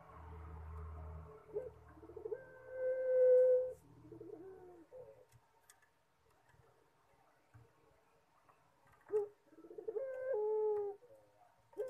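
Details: Puter pelung collared dove singing: a brief low hum, then stuttered notes leading into a long sustained coo. A quiet gap follows before another stuttering lead-in and a falling drawn-out coo.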